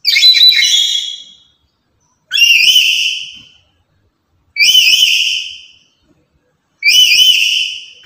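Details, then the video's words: Lory, very active and vocal, used to lure and tutor other lories: four piercing screeches, the first rough and the rest with a clear wavering whistled tone, repeated about every two and a quarter seconds. "Inilah Burung Nuri Yang Paling Cerewet Dan Lantang"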